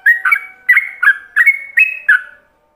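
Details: Yellow-vented bulbul in ropelan song, used to tutor other bulbuls: six bright whistled phrases, each a sharp slurred note with a short trailing tone, delivered in quick pairs before fading out.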